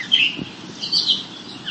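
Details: Gray catbird, a shrub-patch relative of the brown thrasher that mimics other birds, giving two short bursts of high, squeaky, jumbled warbled notes as part of its varied song, with a faint low hum beneath.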